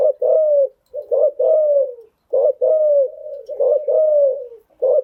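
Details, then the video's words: Spotted dove lure cooing, meant for training newly caught birds; steady low, mellow phrases, each a short knock followed by a long gently descending coo, repeated about every second. "tiếng chim gáy dùng tập chim bổi mới hiệu quả"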